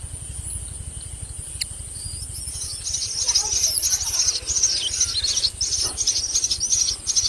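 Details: Nestling common mynas beg as an adult feeds them a lizard: rapid, raspy, high-pitched churring bursts, several per second, strengthening after the third second, over a low steady hum.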